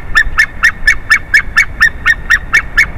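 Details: Changeover at a favourite tree, 30 March 2019: a White-tailed eagle gives an unbroken chain of about thirteen sharp yelping notes, steady and rhythmic at roughly four per second, over a faint low hum.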